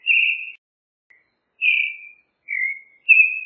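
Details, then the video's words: Creamy-bellied thrush giving slow, drawn-out whistled song notes, four phrases in a few seconds, some flat, some gently falling, separated by clean pauses. "Zorzal Chalchalero Canto - Creamy-bellied Thrush Song"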